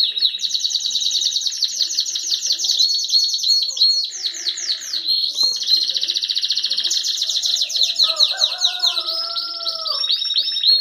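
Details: Song of red mosaic canaries, two males eight to nine months old, ready to breed: long stretches of rapid, buzzy, high rolling trills broken by swooping notes, with a brief lower sliding whistle near the end.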